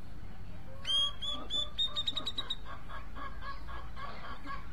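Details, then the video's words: Cucak jenggot (grey-cheeked bulbul) singing: a run of bright, clear whistled notes at a steady high pitch, closely spaced over about two seconds, then softer chattering notes below, over a constant low hum. "Cucak jenggot mencari teman karaoke"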